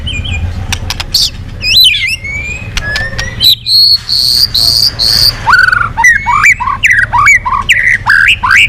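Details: A white-rumped shama sings sharp ticks and swooping whistles, then a sustained buzzy high phrase, then a string of short rising whistled notes repeated about twice a second.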